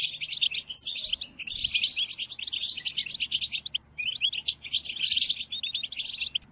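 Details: European goldfinch song for tutoring caged birds: fast twittering phrases with crisp chirps, separated by short silences near one and a half and nearly four seconds, over a low background hum.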